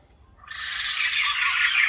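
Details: A rare White-crested laughingthrush erupts into a loud, dense, harsh cackle after half a second of quiet and keeps it going steadily.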